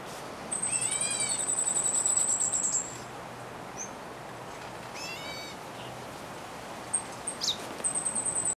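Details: Black bulbul uttering short, nasal, cat-like calls with rich harmonics, one early and one midway, over a sustained, very high, fast pulsed trill that starts and stops.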